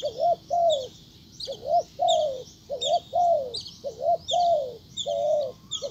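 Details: A decoy spotted dove calls repeatedly to lure a wild dove closer. Mellow, low coos form a rhythmic pattern of short doubled notes and longer drooping coos. Other birds chirp high and faintly throughout.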